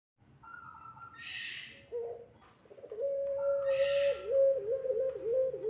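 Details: Puter pelung dove cooing on a lure recording meant to train young doves to sing: a long, steady, low tonal coo that wavers slightly toward the end, with short hissy bursts higher up before it.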